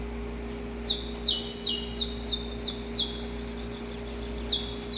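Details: Recorded in nature, a male saffron finch sings its lengthy, rough early-morning courtship song: about fourteen sharply falling high notes, several paired with a second lower sweep, delivered about three per second.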